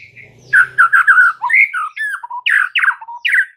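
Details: White-rumped shama singing a master song for training caged birds: a rich, rapid medley of warbled whistles, harsher buzzy notes and quick descending slurs, delivered almost without pause.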